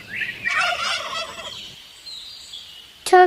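A turkey gives a fast, rattling gobble of about a second, then falls quiet. A short, loud, harsh sound cuts in at the very end.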